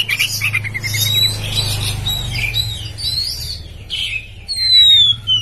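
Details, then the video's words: Oriental magpie-robin of the poci type in ngeplong gacor singing meant to provoke rivals: continuous jumbled chirps and whistles, ending in a clear falling whistle, with a constant low hum behind. "Kacer Poci Nembak Ngeplong Gacor Ngobra Bikin Lawan Emosi"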